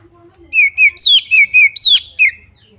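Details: Female white-rumped shama calling, used to lure other shamas into singing: a loud series of seven short whistled notes, some falling from high to lower pitch, others level, given in quick succession with brief gaps.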